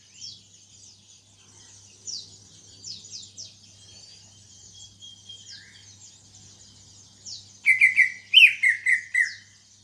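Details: Greater green leafbird kept in a cage, recently out of a heavy moult and starting to sing, makes scattered soft high chirps, then a loud rapid run of rising and falling warbled notes near the end over a low hum.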